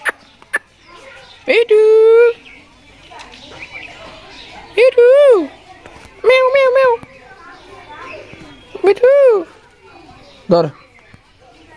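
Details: A pet talking parrot imitating a cat, giving four drawn-out, arching meow-like calls that rise then fall. They are spaced a few seconds apart, with faint background chatter and short clicks in between.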